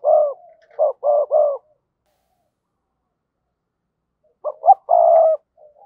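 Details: Spotted dove used as a decoy, calling: a phrase of three throaty coos, a silent pause of about three seconds, then two short notes leading into a long, rolling coo.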